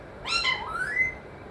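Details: Pet parrot said to say mithu, mummy and papa, giving a single speech-like utterance: a brief rich harmonic burst gliding into a drawn-out rising tone.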